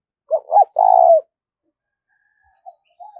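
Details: A spotted dove coos in the insistent 'thúc rút' manner used to draw wild doves into traps: two short notes and one long trilled coo, then quiet murmured notes.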